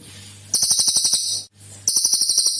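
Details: Cililin singing in a lure recording meant to prompt other birds to sing: after a quiet start, a loud, very high buzzing trill of rapid even pulses, a brief break, then the same trill again.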